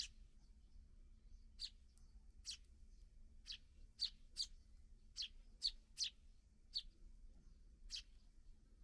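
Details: Freshly fledged sparrows being fed by their parents give repeated sharp, high chirps, irregularly spaced and sometimes paired, about a dozen over nine seconds, with a steady low hum behind.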